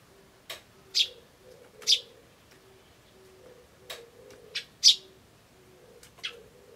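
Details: Eurasian tree sparrow chick, 21 May 2013, giving weak begging chirps: several short high chirps at uneven intervals, some louder than others, with soft low coos of a turtledove running underneath.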